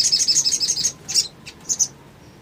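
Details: Rapid series of piercing high chips from a little spiderhunter, played as a lure to provoke other birds into calling. The quick run lasts about one second, followed by a few isolated high notes and a short double chirp.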